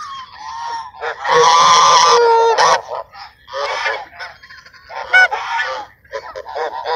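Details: Ducks crowding to be fed at sunset in Sunset Park, calling loudly with harsh, nasal honks. A long drawn call is followed by scattered shorter quacks from several birds against a quiet background.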